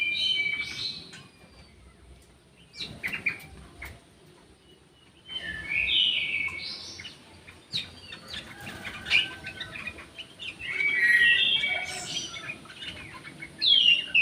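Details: In an aviary with a jali bird, an orange-headed thrush sings separated bursts of sweet whistled and warbled phrases, some ending in sharp upslurs, across a longer passage with quiet gaps and light clicks.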